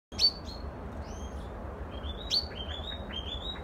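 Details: Common chaffinch song on 23 August 2019: two sharp, high chips followed by runs of short, bright, slurred notes, over a steady low background rumble.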